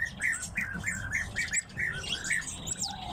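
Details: Captive tits calling indoors: a steady series of short chirped notes, roughly three per second, with fainter high twitters above and a soft room hum beneath.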